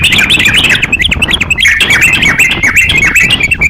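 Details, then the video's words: Energetic crocok-cokan singing for use as a songbird training master: dense, hurried chirping with high twittering notes tumbling over each other, continuous throughout, over faint low background noise. "crokcokan gacor siap jadikan masteran kicauan"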